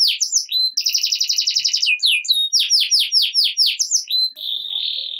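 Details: Canary in full gacor ngerek song, meant to set silent canaries singing: fast high notes, a buzzy rapid roll, then a string of loud descending sweeps repeated several times a second, ending on a steady whistled tone.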